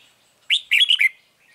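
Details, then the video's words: Red-whiskered bulbul around a trap set with a caged lure bird, recorded 9 March 2020: one short, loud phrase of four quick, bright, ringing notes. "Bẫy chào mào Bổi HB lăng xăng cực gắt"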